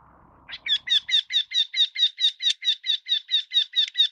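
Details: Eurasian wryneck giving a steady run of about sixteen nasal, slightly harsh notes, evenly spaced at roughly four per second and holding the same pitch throughout, after a brief low rumble at the start.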